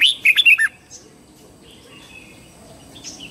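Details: Red-whiskered bulbul singing its morning song for training: one quick burst of four or five bright, warbling whistled notes at the start, followed by near silence with faint distant chirps.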